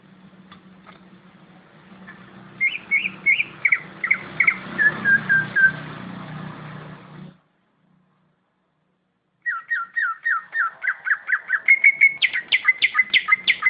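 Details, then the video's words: Competition-quality greater green leafbird song: quick trills of whistled, downslurred notes over a low hum, a brief silence, then a faster run of bright repeated whistles that rise in pitch toward the end. "Kicauan suara cucak ijo Kualitas lomba"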